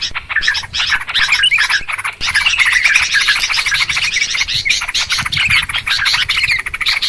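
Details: Clear trapping-lure recording of noisy Yellow-vented Bulbuls: a continuous dense wall of excited chattering, with overlapping scratchy chirps and whistly twitters throughout.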